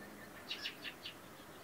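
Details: A single Fieldfare that lingered nearby gives four quick, harsh chacking notes in a rapid, slightly uneven series lasting about half a second, set against a quiet background hiss.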